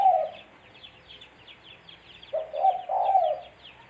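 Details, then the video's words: Spotted dove call used as a lure for trapping birds: a clipped low cooing phrase at the start, then after a pause a fuller hoarse coo of several joined notes, with faint high chirps of small birds behind. "Suara Burung Tekukur-Suara Tekukur Buat Pancingan Mikat"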